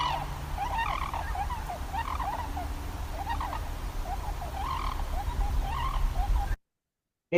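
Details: A flock of tundra swans in Washington State gives overlapping high-pitched, yelping, bugled notes, several every second, over a steady low rumble of wind. This distinctive call differentiates them from all other swan species.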